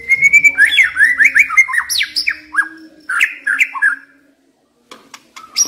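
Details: Singing White-rumped shama, a decoy bird, pours out loud, sweeping whistled notes with quick slurs and downward swoops, then pauses before a few softer notes.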